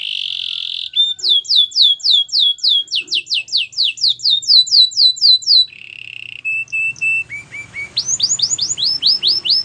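Belgian canary singing: a bright held whistle, then fast runs of downslurred notes about four per second, steady piping tones and a closing series of rising sweeps.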